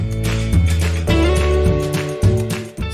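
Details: Music with plucked strings and deep bass beats plays throughout, with no animal voice.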